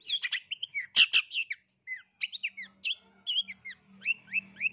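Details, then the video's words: Long-tailed shrike singing in rival-seeking mode, used to provoke other shrikes into answering: rapid varied chirps and short downslurred whistles in quick bursts, one loud harsh burst near one second, a faint low hum underneath. "BANYAK cendet YANG EMOSI dan NYAUT dengan pentet cari lawan ini"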